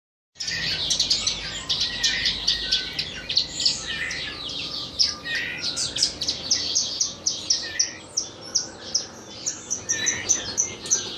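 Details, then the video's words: Horsfield's bush lark tutor song for training birds: a dense, continuous stream of high, sharp chirps and buzzy twittering notes. It swells in rapid bursts about every second, with no other clear sounds. "Burung Branjangan masteran"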